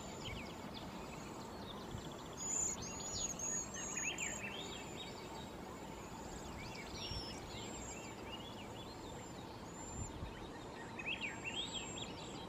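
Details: A gathered flock of Cedar Waxwings (Bombycilla cedrorum) in the Pacific Northwest gives very high, thin, lisping whistles that overlap throughout; softer chirps from other birds and a steady outdoor hiss underneath.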